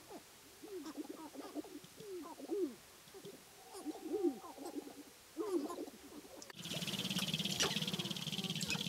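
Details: Sharp-tailed Grouse gathered at a spring lek in the Namekagon Barrens, Wisconsin, where males compete for dancing spots and court hens. Clustered low hooting notes come in bursts about every second, then a loud burst of broad noise takes over.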